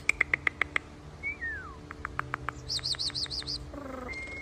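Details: European starling song: a run of sharp repeated clicks, a descending slurred whistle, tapping notes, then a rapid series of high wavering chirps and a harsh buzzy rattle, ending on a thin level whistle.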